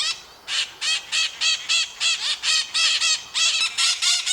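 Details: Noisy maritacas from Brazil, whose loud calls keep flock members together: a nonstop run of shrill, raspy screeches at roughly four per second, strong and close throughout.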